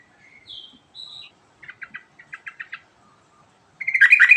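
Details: Yellow-vented bulbul in vigorous rolling song (ngerol style): short whistled notes, a run of quick chirps repeated about every fifth of a second, then a loud, rich burst of bubbly warbling at the end.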